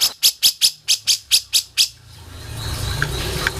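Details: Grey-cheeked bulbul, for song training, repeating about nine crisp, sharp high notes in a quick even run, then a quieter noisy background with a few faint notes.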